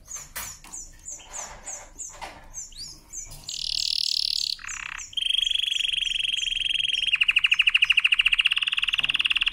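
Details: The canary's powerful training song opens with a series of repeated chirps, moves into a harsh buzzy burst, then holds a high whistled trill and ends on a fast, loud rolling trill.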